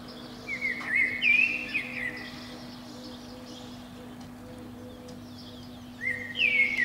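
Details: Fluty warbled phrase from a Eurasian blackbird atop a pine outside a window on a spring morning, followed by a long pause and then a second short phrase, over a low steady hum.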